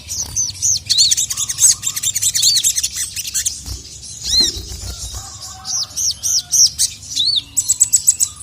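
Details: Little spiderhunter (sogon), a female calling to a male who answers angrily; rapid runs of sharp, high arched chirps in bursts, with a faint lower whistled note in between.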